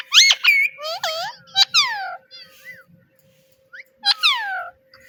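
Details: Talking companion parrot repeating "Mitthu Mitthu"; loud, strained harmonic syllables in quick succession, sliding from high to lower pitch, fading to soft bits and a pause before one more falling phrase.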